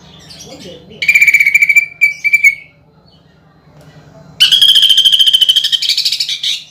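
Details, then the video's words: Greater green leafbird singing hard, bursting phrases with woodpecker (pelatuk bawang) mimicry, for contest training. A rapid rattling burst with a steady high whistle, a short pause, then a longer loud buzzy trill with a sustained whistled tone. "PANCINGAN CUCAK IJO GACOR NEMBAK ISIAN PELATUK BAWANG UNTUK LOMBA"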